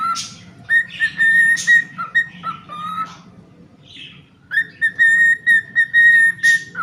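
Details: Pet cockatiel whistling a song of sustained level notes and lower dipping tones, with a quiet pause before a fresh run of rapid, evenly pitched whistles.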